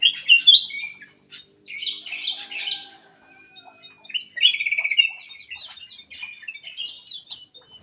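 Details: Energetic black-crested bulbul song used to stimulate quiet birds to sing: loud opening whistled notes, a buzzy chattering burst, then a rapid trill and a string of quick, fading chirps.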